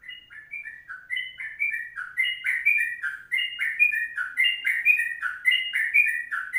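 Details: Sooty-headed bulbul singing a long 'kongslet' style tutor song, made up of bright whistled notes that slur up and down in quick, bubbly phrases, repeated steadily with no other sounds.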